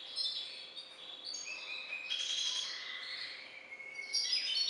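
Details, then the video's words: Song of a cage-bred Balkan goldfinch hybrid: thin descending whistles and buzzy trilled phrases, several sustained tones near the middle, ending in a bright burst of high chatter; a low electrical hum persists. "Śpiew bastarda po C.c. Balcanika III"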